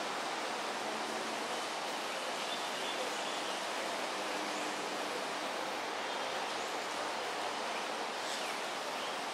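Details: Unbroken hissing wash of noise, like rain or a stream, continues evenly throughout without any clear bird or other animal sound.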